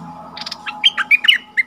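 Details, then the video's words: Bulbul used as a caged decoy to call in wild birds, 28 February 2021: a short loose string of bright chirps and slurred whistles at varying pitch, with a faint low hum beneath. "เสียงนกดอกแตงEp.34Bird soundsถิ่นนี้ดุทุกตัว!นกต่อร้อง3ดอกถึงกรง"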